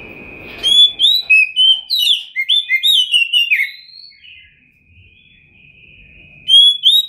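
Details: Oriental magpie-robin (kacer), a top champion bird with full material, 2021. A rapid chain of clear whistled and slurred notes runs for several seconds, then a long steady thin whistle before the song resumes.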